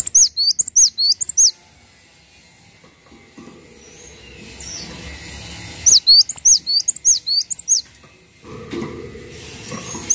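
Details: Cinereous tit singing actively, kept as a master song for tutoring other birds: bursts of about six sharp, high, hooked whistled notes, then a quiet gap of several seconds before another long run of notes.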